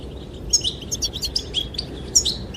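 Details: A goldfinch sings to attract the female: quick, thin, high chirps and tinkling notes scattered through the passage, some doubled, with a soft windy background.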